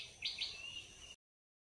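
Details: Rose-ringed parakeet giving two harsh, loud screeching notes in quick succession, the second trailing into a drawn-out fading tail, over steady high background hiss, then silence.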